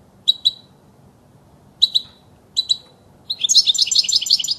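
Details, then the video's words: European goldfinch singing for young birds to learn from: paired bright chirps repeated three times at irregular gaps, then a fast, dense run of tinkling, twittering notes. Quiet low hum underneath. "صوت الحسون الاصلي خالي من الاخطاء لتسميع الحسون وتعليم الفراخ"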